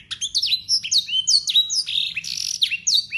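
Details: Singing local Yorkshire canary, full of blackthroat and sanger phrases and used to master young canaries; quick sequence of clear rising-then-falling whistles and a short buzzy rattle, very clean.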